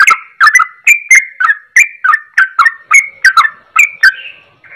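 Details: Singing yellow-vented bulbul imitating straw-headed bulbul song: rapid, rich whistled notes rising and falling, interspersed with sharp clicks, ending in a softer drawn-out whistle.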